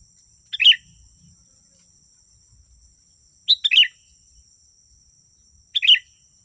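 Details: Lure recording of a sooty-headed bulbul singing: three short, lively chirp clusters spaced a few seconds apart, the middle one slightly longer, against a steady thin electronic-like whine.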